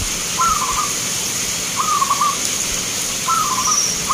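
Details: Local zebra dove at a bird song contest in Grabag, Magelang, Indonesia, giving three short cooing phrases, each a brief rising note then a rapid rolling trill, repeated about every one and a half seconds over steady background hiss.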